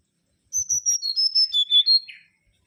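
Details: Mangrove whistler whistling a crisp, evenly spaced series of about eight notes that step down from high to lower pitch, ending with a brief buzzy note.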